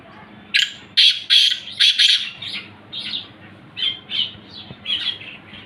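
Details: Black francolin calling: a loud series of harsh, grating, buzzy notes in quick bursts over the first two seconds, followed by softer, scratchy repeated phrases that fade toward the end, with a quiet background.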